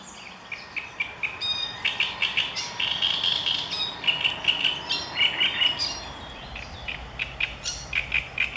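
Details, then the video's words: Marsh warbler song, a long energetic stream of chips, whistles, harsh buzzes and quick trills, mixed and varied, about two to three notes a second, sustained throughout. "Acrocephalus palustris - Rákosník zpěvný"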